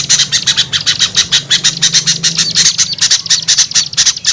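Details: Used to lure small birds, this is a rapid, rasping high chatter that repeats several times a second, with a low droning hum through the first half.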